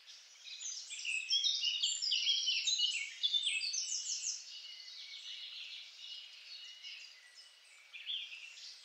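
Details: A Eurasian blackcap, recorded with a homemade parabolic microphone, sings a rich, fast warbling phrase of varied chattering notes, loudest in the first four seconds, then softer fragments continue.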